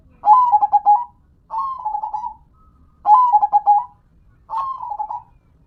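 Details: A zebra dove, kept as a local perkutut, repeats four short cooing phrases of quick pulsed notes with trailing trills, regularly spaced about one and a half seconds apart.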